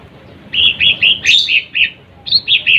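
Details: Lesser green leafbird singing to provoke rival birds, delivering a string of clear, slightly buzzy chirps about three per second, one brief sharper note in the middle, over quiet background.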